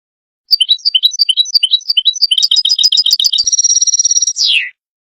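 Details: European goldfinch song used as a lure for trapping goldfinches, 2022: rapid liquid twittering of alternating high and low notes, turning into a fast buzzy trill and ending in a long descending whistle.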